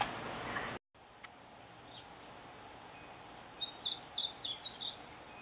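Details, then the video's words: Painted bunting calling for a mate: after a short quiet stretch comes a rapid, high, tumbling warble of squeaky notes lasting about a second and a half, over a faint steady hum. "Painted Bunting Calls"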